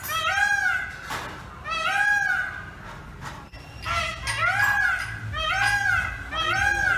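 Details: A dancing Indian peafowl (peacock) gives loud, nasal, arching wails, about six in seven seconds, some in quick pairs, over a low background hum.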